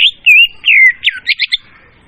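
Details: Loud leafbird lure song phrase: two long, warbling, whistled notes, then quick squawky notes and a short burst of bright chips that fade out.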